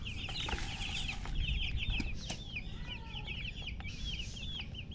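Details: Baby chicks cheep in bright, looping notes, some sliding upward and others arching down, several birds overlapping, with a lower drawn-out peep near the middle and soft thumps over a rumbling background.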